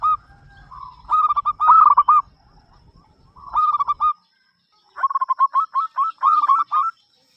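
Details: Local zebra dove with a big voice, singing to prompt other doves: three bursts of clipped, bubbling coos, the last a longer rolling series of evenly spaced notes after a short silence.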